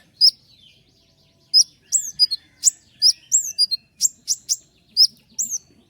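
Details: A Common iora's fast song of sharp, tightly packed shots. A single high note opens it, then a quick run of piercing, downward-flicking whistles follows after a pause, each only a fraction of a second long.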